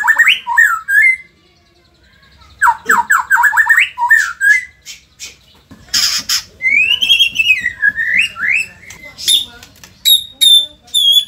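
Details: White-rumped shama from Indonesia: quick whistled phrases, a pause, a rapid stuttering flurry, harsh rasps, then a long rippling warble and high repeated chirps with sharp clicks.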